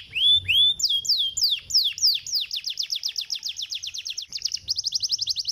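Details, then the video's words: Canary singing to stimulate other canaries: opens with rising swooped whistles, then speeds into a steady trill of sharp falling notes, ending in an even quicker high roll. "The lazy canary makes an instant sound with this"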